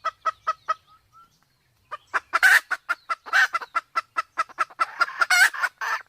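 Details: Sumatran junglefowl, male with a female in heat: a few spaced clucks, a brief pause, then dense rapid clucking mixed with repeated harsh, noisy squawks building toward the end.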